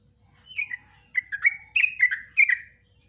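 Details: Yellow-vented bulbul singing a long, rapid 'ropelan' song in the 'nguklik ngecruk' style. Its bubbly, warbled phrases come in quick bursts, used as a master recording for training caged bulbuls.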